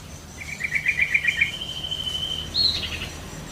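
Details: Sooty-headed bulbul in the wild: a quick run of short chirping notes, then a thin, level whistled line ending in a brief higher note, fairly faint over steady background hiss.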